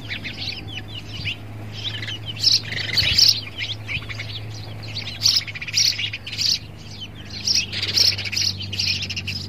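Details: Facing his reflection in a mirror, a male sparrow keeps up loud, bright chirping in irregular bursts, some sharply accented, with a faint low hum throughout.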